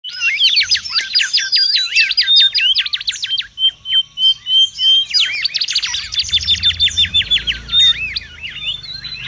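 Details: Mangrove whistler singing in the wild, a lively, busy song used as a lure and tutor recording: rapid chattering runs of looping, warbled notes, broken by a string of short, clear, even whistles, then another fast, varied burst.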